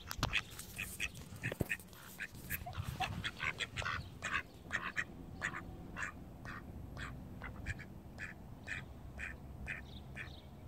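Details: Domestic ducks, labelled call ducks, also described as Indian runner and mallard, quacking loudly and continuously with rapid, nasal, high-pitched quacks repeated several times a second, over a low background rumble.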